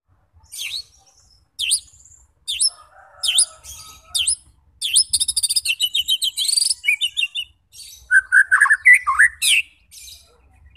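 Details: White-rumped shama song used to provoke fighting birds into full singing and unloading their mimicked repertoire: sharp high chirps, then a dense run of rapid buzzy notes and bright whistled slurs, ending with loud varied phrases.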